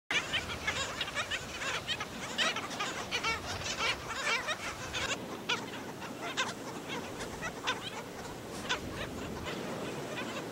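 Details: Black skimmers at St. Pete Beach, Florida, where an adult was killing a chick: a dense chorus of short, nasal, dog-like yaps, many birds overlapping several times a second, over surf and wind hiss.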